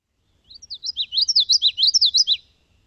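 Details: A Common Yellowthroat, a spring migrant passing through southern Quebec, sings its repetitive song: a rapid, rolling series of high, bright phrases, about three or four repeats of a witchety-witchety pattern over two seconds.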